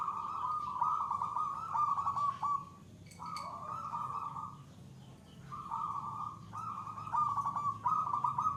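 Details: Zebra dove (perkutut) giving its gacor song, the third stage reached when the bird is adapted and unafraid: long runs of vibrating, burbling coos at one pitch, several joined together, then brief gaps, over faint low noise.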